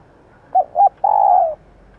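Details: Female spotted dove call used in training decoy birds: two brief clipped notes and a long, smooth coo that drops slightly at the end, heard once cleanly.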